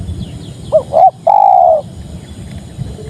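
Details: Spotted dove singing a mellow, low-pitched phrase: two short, bending coos followed by one longer, steady, slightly hollow coo, then quiet, over a faint low rumble of background noise.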